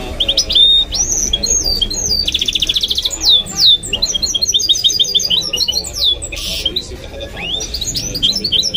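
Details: Caged goldfinch × canary mule singing a fast, varied song: high, sharp twitters, sliding whistles and a dense buzzy trill, with brief pauses between bursts of notes.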